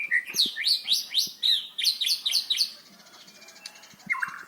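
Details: White-rumped shama in loud, lively song used as a lure for birds that have stopped singing: fast run of high, sharp, looping whistled notes about four a second, a short pause, then a buzzy trill at the end.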